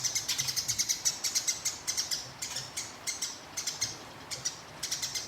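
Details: Sparrow, a competition songbird in fighting mood, in a rolling song used as master material: rapid bright high chirps in quick bursts with short pauses between, over a low steady hum.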